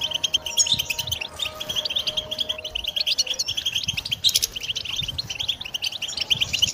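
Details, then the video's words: Goldfinch song used as training material for songbirds, a rapid run of tinkling, high twittered notes with a few sharper bursts near the middle, over a soft low background hum. "Song Goldfinch Training"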